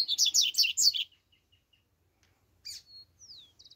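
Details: Double-collared seedeater (coleiro), tui-tui song style: a quick run of five harsh, buzzy notes in the first second, a short pause, then a sharp chip, a thin level whistle, a falling slurred whistle and a brief closing buzz.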